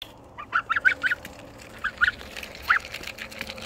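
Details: A happy goose gives a quick run of short nasal honks, then a few spaced single honks, over a faint steady background hum.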